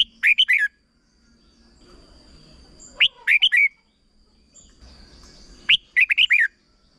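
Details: Three separate phrases of rapid, chirpy, up-and-down whistles from a red-whiskered bulbul, spaced about three seconds apart. It is a short 'berb' style song intended for young birds to copy.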